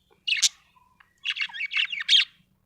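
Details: Cheerful budgie chirping: a short pair of bright high notes, a pause, then a quick warbling string of scratchy, twittering chirps.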